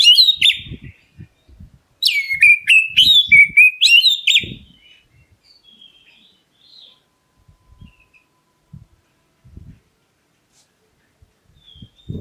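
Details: White-rumped shama with a black breast calling to provoke other birds: a brief whistle, then a two-second volley of sharp, rapidly repeated whistled notes with overtones, followed by faint scattered notes and low knocking sounds.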